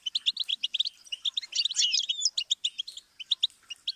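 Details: Goldfinch song used as a learning stimulus for young songbirds: rapid, high, liquid twittering of short chirps, with a brief burst of buzzy trills and slurred whistles near the middle, then more clipped notes.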